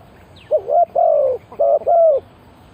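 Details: Decoy spotted dove cooing to draw in wild birds: four full, hollow coo notes in two pairs, each note steady then dipping at the end, over quiet background.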